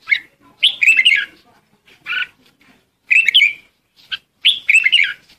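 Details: Red-whiskered bulbul flock-gathering call: clusters of quick, jumbled chirps separated by short pauses, loud and near.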